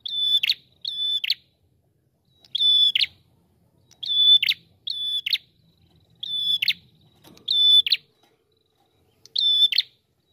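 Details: A red-headed prinia sings as a lure call: high, level, slightly buzzy notes, single or paired, repeated roughly every second or two against a quiet background.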